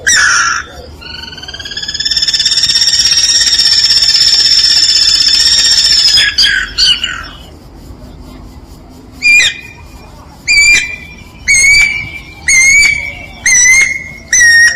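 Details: Guira cuckoo song, opening with a long, drawn-out whistled wail held for several seconds, then a run of short, loud whistled notes repeated roughly every second, over a faint rural background hiss.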